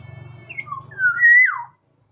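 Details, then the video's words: Single loud liquid whistle phrase from a Sumbawa black-naped oriole, rising then swooping downward, over a steady low humming drone at the start. "Kepodang emas Sumbawa"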